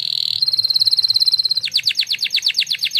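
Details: Singing-contest-winning canary performing a training song: a steady high trill held for over a second, then a quick series of sweeping descending notes repeated rapidly, loud and clean with little background.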